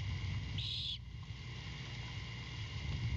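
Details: Great horned owlet begging at midnight on a Savannah nest cam as its mother arrives with a rat; a single short, breathy, rasping screech, then only low background rumble.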